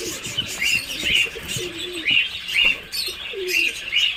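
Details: Peeping Muscovy duck chicks on a farm in Kamrup, Assam, giving short high downslurred cheeps at irregular intervals, with faint lower murmurs and shuffling underneath.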